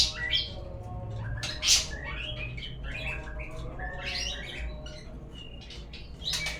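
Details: White-rumped shama lure song, played to prompt other birds to sing: varied whistled phrases, some rising and some falling, with sharp high chirps between them over a steady low hum.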